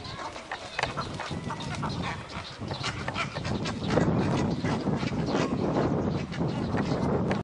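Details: Cattle egret (Bubulcus ibis) breeding colony at Inkamana near Vryheid, 12 November 2007: a dense chorus of harsh, croaking, quacking calls over steady low background noise.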